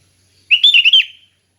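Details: Sooty-headed bulbul singing a relaxed, open song used to train other bulbuls: a single short, bubbly phrase of rolling, warbled whistles, about three-quarters of a second long, with clean silence around it.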